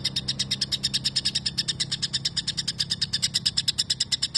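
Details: A white-rumped shama chirps in imitation of house sparrows, isian gereja: fast regular bright chips, around three per second, over a low droning hum in the background.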